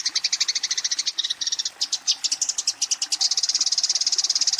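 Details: Fighting Eurasian tree sparrow challenging a rival with a fast, tightly packed series of piercing chirps, steady and relentless throughout, with the pace quickening slightly at the end.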